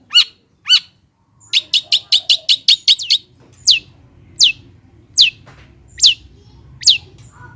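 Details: Long-tailed shrike (cendet) song played to coax reluctant birds to sing: a quick burst of repeated chirps, then sharp descending whistled notes about once every 0.8 seconds over a low background hum.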